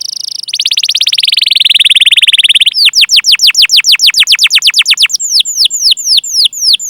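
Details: Canary singing long and vigorously, a lure to prompt young, untrained or silent canaries. A high buzzy rolling trill sinks slightly, then switches to loud rapid falling whistles that gradually space out.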